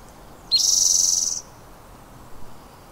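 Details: Spotted towhee calling at the Squamish River Estuary: one short introductory note followed immediately by a loud, even, buzzing trill that lasts nearly a second, then quiet.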